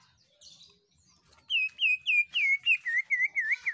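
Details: Greater green leafbird giving its shrieking full song to get other birds singing. A fast, regular series of about eleven looping whistled notes, each dropping then rising, with a few faint twitters before.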